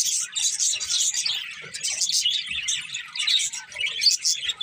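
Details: Group of budgerigars twittering, with quick high chirps and short warbling phrases that rise and fall in loudness in small bursts.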